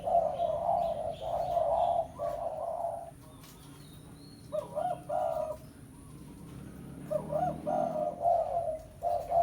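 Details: Spotted dove (tekukur) giving a 'pesom' style lure call meant to draw a rival: rounded hollow coos in uneven phrases, a short pause mid-clip, then more coos, with faint high bird notes in the background.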